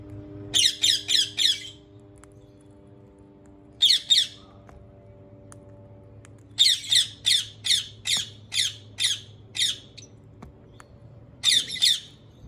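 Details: Rose-ringed parakeet giving bursts of harsh, grating squawks in rapid runs of three to eight, separated by short pauses, with a low steady hum underneath.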